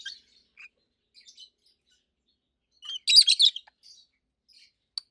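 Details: Adult roseicollis lovebirds, two long-kept healthy birds, mostly give soft scattered twitters, then a sudden loud burst of harsh rapid chirps in the middle before fading back to faint notes.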